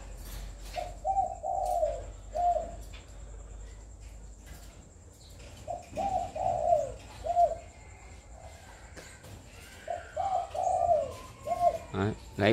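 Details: Very tame caged spotted dove decoy cooing naturally in the full 'hậu một' pattern at half past four in the afternoon: low mellow coo phrases, each a short run ending in a separate note, repeated about every four to five seconds over a faint steady high whine.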